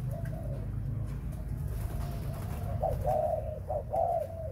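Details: Spotted dove held for breeding, faint cooing at first, then two strong mellow coo phrases with short accented notes near the end, over continuous low-pitched background hum.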